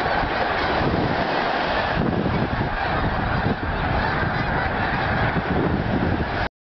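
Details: Taking-off snow geese, Delaware Bay west shore north of Lewes, 23 November 2010: a massed wall of honking from many birds, constant in loudness, over a rumbling low background, ending abruptly.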